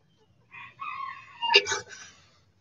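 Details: Rooster crowing among backyard chickens in the sun: a harmonic crow with a short first note, a long drawn middle syllable, then a louder, harsher burst near the end, clear against a quiet background.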